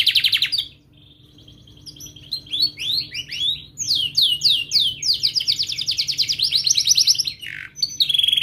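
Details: Tutor song of a canary for teaching young birds: high whistled trill, a pause, then quick falling chirps building into long rapid rolling trills and a final descending sweep.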